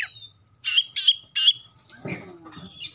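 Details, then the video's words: Singing Oriental magpie-robin meant to provoke other birds into answering: a thin whistle, three harsh loud squawky notes, then softer scratchy chatter and a high drawn whistle. "pancingan Kacer terbaru 2022 ampuh langsung nyaut gacor buka ekor"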